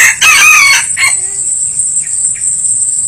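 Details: Red junglefowl crowing where wild junglefowl are being lured: one loud, harsh, strained crow lasting about a second, then a short rough tail note. Faint bird chirps and a steady high insect drone continue behind.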